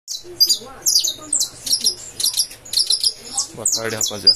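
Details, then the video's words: Saffron finch from a breeder singing in the fibra style: a rapid run of high, sharp chirps and trills, with faint low murmuring underneath. "canário da terra cantando"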